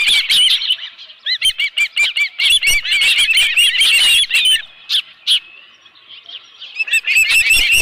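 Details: Osprey at a ranch nest with a live fish, 11 July 2018, around 12:41 PM: rapid series of high, arched whistled chirps, some overlapping, broken by a short lull, with sharp broadband clicks and knocks.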